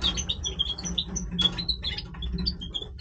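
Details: Major-form European goldfinch in breeding voice, giving a lively stream of short, high tinkling chirps and twitters at varied pitches, with a faint low hum underneath.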